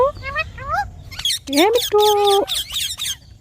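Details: Green talking parrot giving speech-like utterances: a few short rising syllables, then a clear wavering note and a steady held tone, followed by bursts of harsh broadband chatter.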